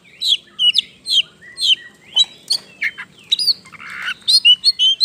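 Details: Energetic Oriental magpie-robin (kacer) song meant to provoke other birds into singing: a dense, nonstop string of varied whistled and chirping notes with a rough buzzy burst near the end.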